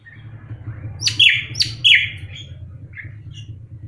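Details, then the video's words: Drongo known locally as srigunting krantil, vocal all day: two sharp buzzy notes each dropping into a falling whistle, then a soft trailing chirp, over a steady low background hum. "Pancingan Srigunting Krantil Gacor"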